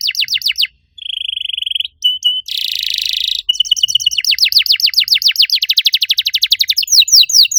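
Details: Canary master song used to coax other canaries that have stopped singing: rapid varied phrases of fast repeated downsweeping chips, a steady whistled trill, and a loud buzzy rattle, with quick rolling notes running on to the end.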